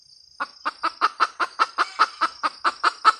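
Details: Steady cackling from a female red junglefowl, fourteen rhythmic clucks roughly five per second with no squawk; thin high insect whine underneath.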